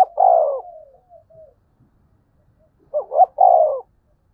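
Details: Spotted dove singing 'gáy thúc' and 'gáy gọi' calls meant to get wild doves calling back: a long coo trailing into soft notes, a quiet pause, then a full phrase of two rising notes and a drawn-out coo.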